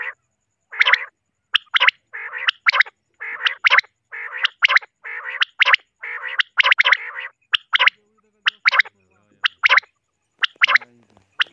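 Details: Three big common quails calling steadily: rapid, bright, clipped triple-note phrases repeated about once a second, overlapping at times, with brief pauses and a faint low murmur near the end.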